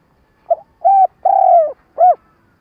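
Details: Spotted dove used as a trapping lure, stuttering call: four low coos, a short soft note, a medium coo, a long drawn-out falling coo, then a short arched note, in quiet surroundings.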